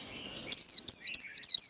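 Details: White-eye singing in contest style, the líu đấu song: after a faint start, four loud, high, downward-sweeping whistled phrases follow one another quickly.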